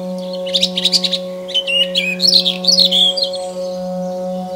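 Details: A European robin sings in a forest in Ukraine: thin, high, rapidly changing phrases of twittering notes, trills and sliding whistles, over a steady low mechanical hum.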